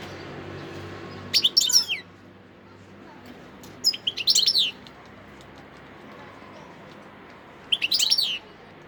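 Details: Wild European goldfinch singing at Sidi Bel Abbes on 17 December 2021: three short bursts of high, liquid twittering notes, roughly three seconds apart, over a soft background hum.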